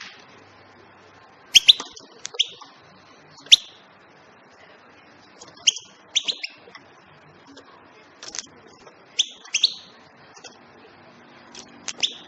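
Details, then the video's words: European goldfinch tweeting: short, bright chirps with sharp upward flicks, given in loose clusters of two to four notes separated by pauses of about a second. A faint background hum is present. "بتبتات طائر الحسون بصوت رائع جدا"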